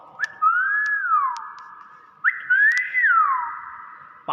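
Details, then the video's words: Common hill myna giving its natural voice: two long clear whistled notes, each swooping up and then sliding down over a sustained steady tone, with faint short clicks in between. "BEO GACOR SUARA ASLI"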